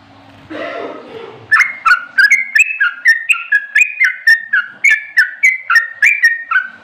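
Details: Sooty-headed bulbul in full song: after a brief low noisy start, a steady series of about twenty bubbly two-note phrases, each dropping in pitch, repeated roughly three to four per second with a slight rising then falling contour.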